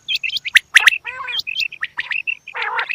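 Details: Female quail giving quick hooked high whistles and sharp cracking chirps, broken by two harsh, grating buzzes, one in the middle and one near the end.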